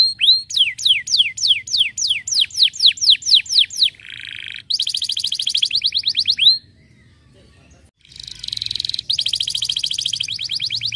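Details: Canary of the 'pocong losdol' type: a series of loud falling whistles, then a buzzy stretch and a fast trill of downward notes, a short quiet break, then a dense rapid buzzing trill.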